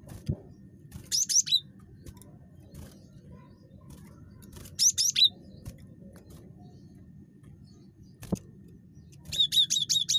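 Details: Cinereous tit in very chatty mood, meant to provoke calling in other tits, giving two brief high note clusters, then a longer run of about six rapid sharp notes at the end, with background hum and a click.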